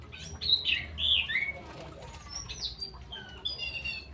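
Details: Straw-headed bulbul singing: loud, rich, slurred warbling phrases early on, then softer scattered whistled notes with faint background chirps and light rustling.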